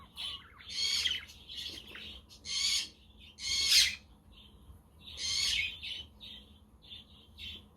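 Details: Budgerigar chatter recorded on a windy, sunny day as companionship for lonely budgies, with a quaker parrot and a conure in the background. Harsh bursts of warbling alternate with softer twittering notes.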